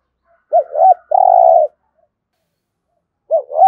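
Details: 'Thổ'-style spotted dove cooing meant to stimulate other birds. A single phrase of two short rising-falling notes and a sustained half-second coo, then a quiet pause before the next phrase starts.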